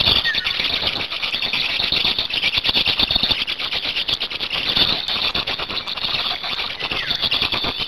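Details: At a Hungarian black stork nest on 8 May 2019, during change-over and feeding, loud sustained squealing runs without pause for eight seconds, rough and wheezy, laced with quick rattling clicks.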